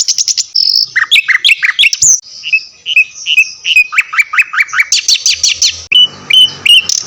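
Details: Tutor song for caged songbirds, mixing Javan white-eye and mugimaki flycatcher: a loud, varied, fast medley of high chirps, slurred notes and squeaky twitters repeated in quick succession, with brief buzzy trills.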